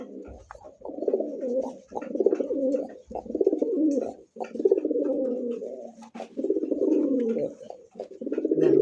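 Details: Pigeons kept at a breeder's farm in Ashulia, Savar, Dhaka, on a December 2025 evening, cooing steadily: low rolling, throaty phrases about a second long, repeated almost without pause, with faint thumps in between.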